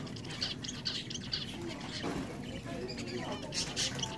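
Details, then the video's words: Zebra finches hopping around in a cage at a pet shop give short, high, nasal beeping calls, several in quick succession near the start and two more near the end, over a steady background hum and faint voices. "Editing out worst noises from Zebra Finches hopping around in a cage"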